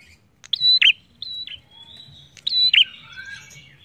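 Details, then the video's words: Prinia (prenjak) singing as a lure to get other birds calling: two loud phrases about two seconds apart, each a steady high whistle ending in a quick plunging note, with softer drawn-out whistles between. "PRENJAK GACOR ENAK BUAT PANCINGAN BUNYI"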